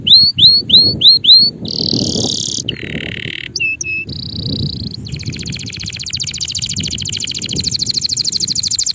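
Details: Male canary song: five upswept whistled notes, then a run of short, varied buzzy and rattling phrases at different pitches, ending in a long, fine, high trill.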